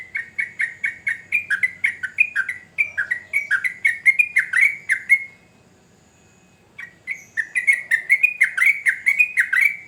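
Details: Energetic sooty-headed bulbul song of quick, chirpy, down-slurred notes in a fast even stream, breaking off into a brief silence of about a second and a half before resuming just as busily.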